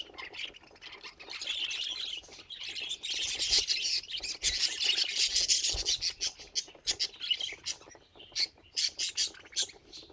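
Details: Budgerigar kept as a pet giving a rapid, raspy warble, dense at first, then breaking into separate sharp chirps and clicks in the final seconds.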